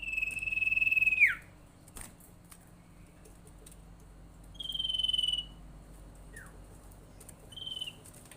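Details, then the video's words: Lure call of the common iora used to trigger other ioras: a long level trilled whistle ending in a steep downslur, followed by two shorter higher trills and a faint falling note. "suara panggilan sirtu paling ampuh bikin sirtu atau cipow lain rajin bunyi"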